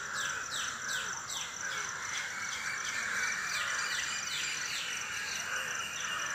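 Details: Early-morning bird chirping recorded around 5 AM without editing: rapid, repeated downward-sweeping chirps, roughly three per second, stand out over a busy background chorus and a constant high insect-like drone.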